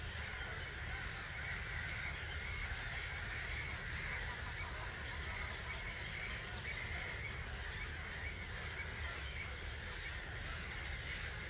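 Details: Early-morning exodus of roughly 250,000 starlings from a roost at Gibraltar Point NNR, 05:45 on 21 March 2022, from a hide; a sustained, seething chorus of chattering calls, unchanging in strength, beneath a low wind rumble.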